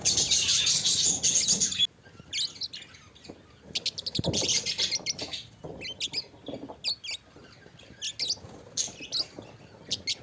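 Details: Budgerigars in a pet colony: bright high chirps and warbling chatter from several birds, an opening stretch of loud hissing noise, then quick scattered twittering notes.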